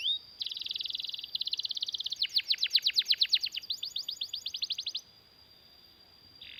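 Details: Canary singing a long rolling song meant as a master recording to train other canaries: rapid repeated trills at high pitch, series of sweeping notes speeding and slowing, about 167 notes per minute, ending abruptly into quiet.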